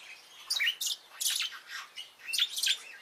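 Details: Bourke's parrots uttering clusters of high chirps and squeaky twittering notes in quick bursts, separated by short pauses, indoors.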